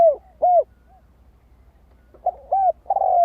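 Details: Spotted dove coos, used to excite decoys: a couple of isolated short hooted notes, a pause, then a phrase of quick coos running into a longer steady hoot.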